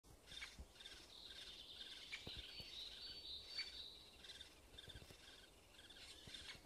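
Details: Woodpecker nestlings in a tree-hole nest at Blachownia, Poland, on 23 May 2019, give a constant, high, raspy chorus with quick repeated chirps about four per second, against faint background noise.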